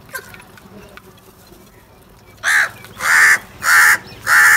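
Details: After a quiet start a crow breaks into four loud harsh caws in quick regular succession, each about half a second long.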